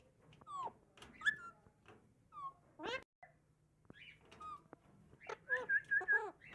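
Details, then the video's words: Pahari Alexandrine parakeet talking indoors: quiet, speech-like syllables with wavering tones, a sharp squawk near the middle, then a quick series of short rising whistled notes at the end. "Best talking pahari alexandrine parrot"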